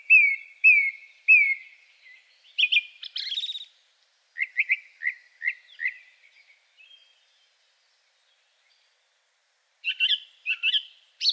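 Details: Male Song Thrush, the second of three, with a very simple song holding a few unusual sounds: a clear whistled note repeated three times, then short chirpy phrases, brief repeated notes, a long pause and a final burst of sharp notes.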